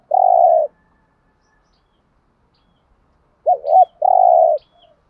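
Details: Spotted dove used as a lure to stimulate other doves, in Vietnamese thúc gù and gáy gọi styles: a long, level, throaty coo, a pause, then a quick two-part note running into another long coo.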